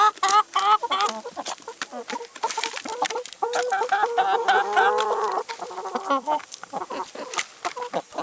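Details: Chickens eating salad and vegetables, overlapping warbling clucks and a low drawn note midway, with sharp pecking clicks scattered through.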